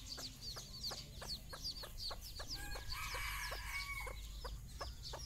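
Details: Mother hen calling her chicks for a morning walk on their first outing: low clucks repeated roughly every third of a second, with a steady chorus of thin, high chick peeps and a low background rumble.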